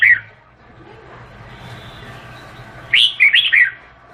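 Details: Red-whiskered bulbul, Vietnamese type. A brief note opens the clip, then a long quiet gap leads to a cheerful four-part phrase of bubbling, up-and-down whistles.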